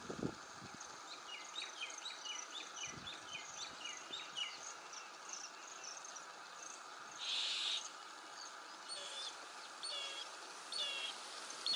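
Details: Asian pied starling at Motisagar pond, Agar Malwa: a run of short, bright, repeated notes in the first half, then scattered chirps over a steady high hiss, with a brief burst of noise midway.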